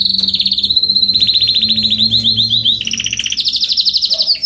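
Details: Adult Spanish Timbrado canary performing continuous fast rolling trills, slightly wavering in pitch, shifting through several tempos and ending in a higher, brighter roll.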